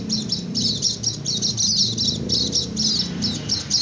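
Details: White-eye in continuous 'ngecir' song, used as a lure for wild white-eyes and to prompt lazy ones to answer: dense, high, rapid chattering bursts, nearly unbroken across the clip, over a low background hum.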